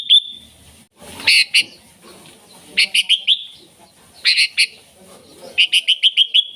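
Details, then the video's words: Sooty-headed bulbul singing loudly, a call meant to lure wild bulbuls and train others: sharp, ringing chirps in pairs and runs, ending with a rapid string of six bright notes. "Suara Burung KUTILANG GACOR Ampuh Untuk Panggilan Kutilang Liar dan MASTERAN KUTILANG"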